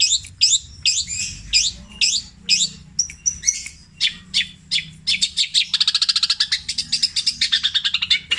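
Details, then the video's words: Mimicking long-tailed shrike repeating long phrases copied from other birds (tengkek buto, kuntilanak, greja, petir style): varied sharp chirps and sweeping notes at first, then a rapid high rattling trill of many even pulses. "CENDET INI MUNTAHKAN TENGKEK BUTO KUNTILANAK GREJA NYERET PETIR KW PANJANG2 DAN DIULANG2"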